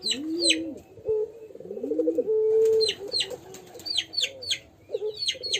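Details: Young pelung dove practising its call in a crying manner: low arched coos mixed with a held, slightly buzzy note, while small birds chirp sharply in bursts overhead.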